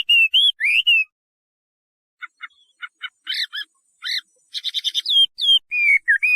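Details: Chinese hwamei song: clear slurred whistles, a pause, then soft stuttering clicks and a buzzy trill before further whistled notes; otherwise a quiet background.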